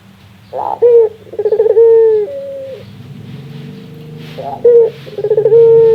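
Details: Puter dove laughing call, a rare sound: a pulsed stuttering start opening into long level purring coos, then a quiet gap and another pulsed burst leading into a drawn-out coo.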